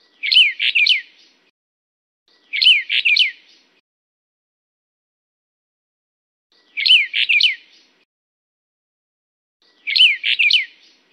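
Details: Brown bullfinch of the Taiwan-endemic subspecies Pyrrhula nipalensis uchidae calls: four short, high phrases of three or four quick whistled notes, spaced a few seconds apart, against a quiet background.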